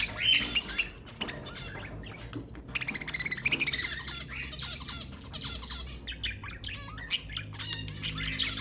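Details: Budgerigar chatter played to prompt breeding: a long, busy mix of squeaky whistles, buzzy trills and sharp clicks, loudest in the first half, then continuing as a lighter, scattered twitter.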